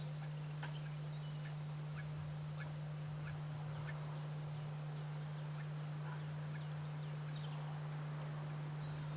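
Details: Wallcreeper (Tichodroma muraria), a rare or passage bird in Corrèze, France, calling with short, thin, high-pitched notes repeated roughly every half second over a steady low humming drone.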